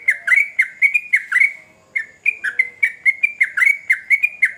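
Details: Energetic sooty-headed bulbul song, a string of rapid, bright whistled notes that swoop down and up, pausing briefly midway before resuming at a steady quick pace.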